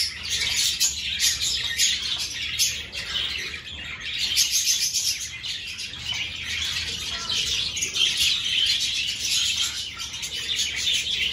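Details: Many budgerigars in an outdoor aviary at the start of breeding season, with clay pots hung as nests and pairs choosing pots; dense, continuous high chirping and warbling chatter with overlapping tweets throughout, no pauses.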